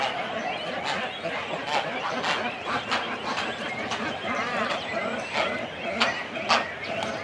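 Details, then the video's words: Cormorants calling from nests in a colony, both adults and chicks: throaty, wavering cries and sharp clicking bursts rise above a constant crowded murmur of many birds. "Cormorant. CU Calls From Chicks And Adults On Nest. Colony Sounds."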